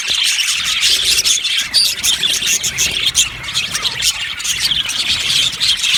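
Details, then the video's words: Budgie colony held in an aviary, many birds twittering at once in a steady stream of sharp, high chirps and short squeals. "Budgies chirping sounds"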